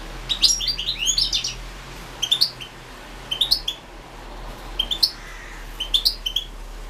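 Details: Singing European goldfinch from the 2016 internet world championship in goldfinch song. Short twittering phrases of tinkling, upslurred notes repeat roughly every second, with a longer jumbled burst at the start.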